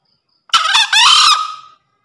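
A single short, hoarse two-part crow from a green junglefowl, a harsh opening note followed by a longer rasping one that fades after about a second.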